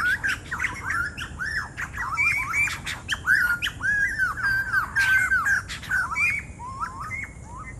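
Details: Noisy white-crested laughingthrushes: continuous squawking chatter, rapid wavering and rising notes from several birds overlapping, harsh bursts throughout.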